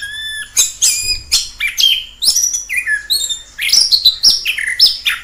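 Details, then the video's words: An orange-headed thrush in the wild gives a varied song of bright whistles, downward slurs and quick high ticking notes, phrase after phrase in a rapid, mimic-like sequence. "Suara asli anis kembang di alam liar"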